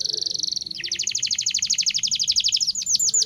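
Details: Local domestic canary in full song, used to teach young canaries to sing: a long, rapid rolling trill of high repeated notes, shifting upward in pitch partway and continuing without a break.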